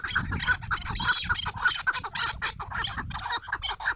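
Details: Chukar partridges calling: rough, chuckling notes repeated about twice a second in uneven bursts, with a faint low rumble beneath.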